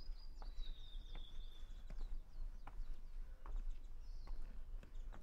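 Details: Japanese bush warbler at Hansōbō, Kenchō-ji temple, Kamakura, Japan, 6 June 2020, giving a sustained high whistle that drops slightly in pitch and holds for over a second, followed by softer notes, with footsteps throughout.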